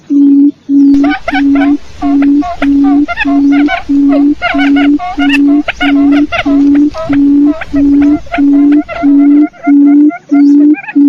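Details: Decoy call of a quail for luring: a long, even series of about sixteen deep, droning hoots at a regular beat, accompanied by busy higher chirps and warbles throughout.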